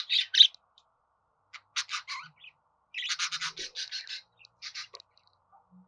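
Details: Budgerigar chattering in loud harsh chirps, then a rapid series of ticking, buzzy notes and softer twitters that trail off.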